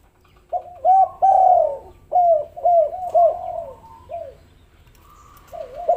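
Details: Spotted dove coos meant to draw lazy doves into calling: a series of loud arched notes, some drawn out, in irregular groups, then softer notes at the end.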